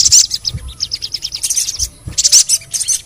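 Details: ['Sogon (ruby-cheeked sunbird) lure sound: loud shrill chirp bursts alternating with a quick series of thin, evenly spaced tsip notes, plus soft low thumps.']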